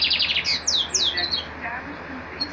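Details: Captive Lined Seedeater perched in a hand, singing to itself in a mirror. A quick burst of high chirps gives way to several sharp, downslurred whistles, then the phrase trails off into quiet.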